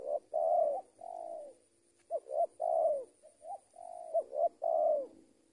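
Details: Trained decoy spotted dove cooing steadily: soft hooting two- and three-note phrases, each ending in a longer falling coo, delivered almost without gaps, with a thin constant high-pitched whine in the background.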